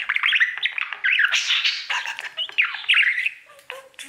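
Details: A caged male budgie sings toward his mirror: squeaky chirps and buzzy chattering bursts, with short quieter gaps and a few soft clicks near the end.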